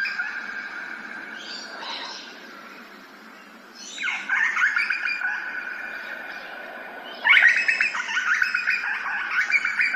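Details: Grey butcherbird in Australia gives rich, fluting phrases with swooping downward notes in three bursts, loudest near the end, over a steady background of other bird chatter.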